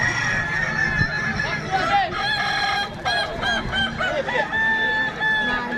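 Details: Kukuak Balenggek roosters in a crowing competition, their long, trilled, multi-note crows layered and bouncing between pitches, accompanied by clapping and a busy, noisy crowd.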